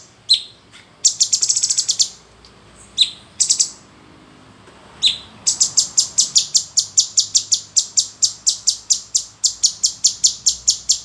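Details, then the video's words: A captive male cucak cungkok bulbul gives bright, high chirping bursts, then a fast run of sharp, evenly repeated chips, several per second, in a quiet room; recorded around 2 May 2020. "Burung Cucak Cungkok Jantan Gacor"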